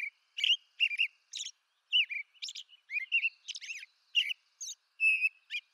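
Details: Eastern North America American robin caroling: a rapid series of short whistled, slurred phrases interleaved with high thin squeals and chip-like notes. The clip ends with a clear steady whistle.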